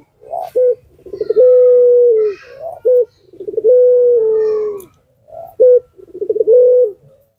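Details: A puter pelung dove, kept to entice other doves to reply, repeats a pattern three times: a short sharp note, a rapid rolling stutter, and a long low sustained coo falling at its close.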